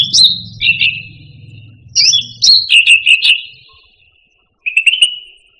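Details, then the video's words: Song of the Indonesian grassbird (cucak rante) for training pet birds: sliding high whistles giving way to stuttering buzzy trills, with a low hum underneath early on and a quiet gap before a final trill. "Suara Burung Cucak Rante"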